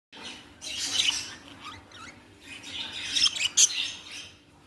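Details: Young budgerigars, tagged as baby budgies, giving harsh squawky chirps and scratchy chatter in two loud bursts, mostly high-pitched, with quieter twittering between them.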